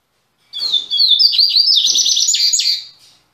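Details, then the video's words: Double-collared seedeater kept by a breeder in Salvador, Brazil, singing after a three-month break: a bright whistled start rising into a fast, buzzy, stuttering trill, about two and a half seconds long. "COLEIRO MEQUETRÉFE VOLTANDO APÓS 3 MESES"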